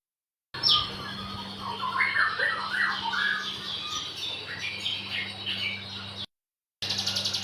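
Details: Crescent-chested warbler singing in the wild: a varied, tumbling warble of quick mid-to-high twittering phrases with a steady low hum beneath, broken by a short silence and then a burst of buzzy noise.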